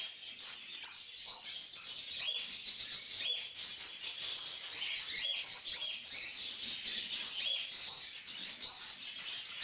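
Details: A recently weaned lutino cockatiel hen pleads for food from an adult male who feeds and tends her; a steady, scratchy, hissing chatter with scattered short chirps continues throughout.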